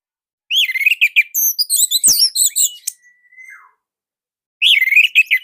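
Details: Orange-headed thrush, Indonesia, loud tight tutor song used to coax young birds to sing. A long, fast, varied run of downslurred whistles and sharp chirps ends in a drawn-out flat whistle, then a new phrase begins.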